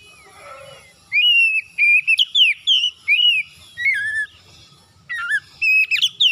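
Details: Oriental magpie-robin singing in the morning to coax other magpie-robins into song: repeated loud whistled notes with rising and falling inflections in several bursts, a brief quiet warble at the start.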